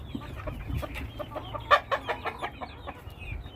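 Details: A kept flock of chickens: a quick run of short, low clucks stacked close together, with one sharper, louder cluck near the middle and a soft rumble underneath.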